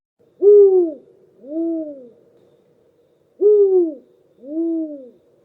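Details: A Spotted Eagle-Owl, a common garden bird of the Eastern Cape, South Africa, gives two soft, low double hoots about three seconds apart, each a louder first note then a lower one, against a quiet background.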